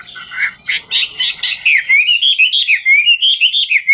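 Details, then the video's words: Chinese hwamei singing while dancing opens with harsh scratchy notes, then pours out clear rising whistles in a rapid, even series of slurred notes. "Họa mi ngũ trường hót múa cực chất"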